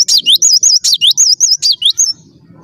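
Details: Cinereous tit in lively song, delivering about nine quick, high, wavering whistled notes in a steady run that stops abruptly, leaving faint low hum.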